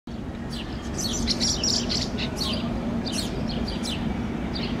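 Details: House sparrow fledglings on a lawn in Helsinki, Finland, in June, begging with wing gestures as a parent feeds them: clusters of thin, high, rapid chirps over a steady low rumble of traffic.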